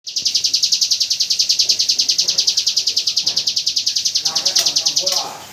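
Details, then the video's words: Hill prinia singing its 'AK47 gunfire' style song, used as training audio for white-rumped shamas: a long, rapid machine-gun trill of sharp, high notes, about ten per second, fading at the end over faint background noise. "Suara burung ciblek gunung tembakan AK47"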